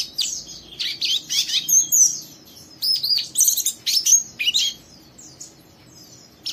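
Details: High rough twitter from a young oriental white-eye egging on a second bird to sing, 'ngeriwik' style; bursts of sharp downslurred chirps and buzzy notes, fading to quiet near the end.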